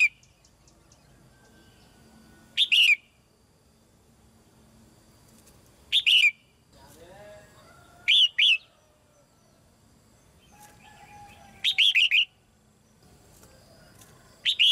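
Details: Caged female red-whiskered bulbul singing to encourage newly grown birds to sing; repeated short, loud whistled phrases every two to four seconds, each a rapid cluster of chirps and slurred notes, with soft background sounds.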